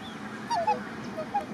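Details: Australian silver black swans tending three one-day-old cygnets by their nest at Lake Morton, Lakeland, Florida; two brief whistled notes slurring downward in quick succession, then a softer third, over a constant low hum.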